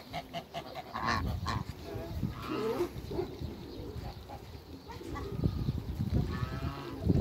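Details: A pair of Toulouse geese kept in a backyard with other waterbirds: harsh, nasal honks with stacked harmonics come in short bursts, mixed with low rumbling farmyard noise and scattered clucks.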